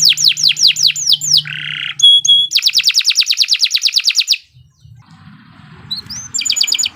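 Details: Canary song, long and continuous, used as training material for young birds: falling sweeps, a short buzz, a fast high trill, a quiet gap, then rising notes and another trill.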